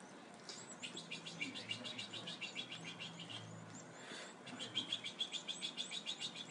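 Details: European goldfinch at the nest; thin, high chirps in fast, fairly regular runs of about three per second, pausing briefly mid-clip then resuming louder, over a low rumbling background.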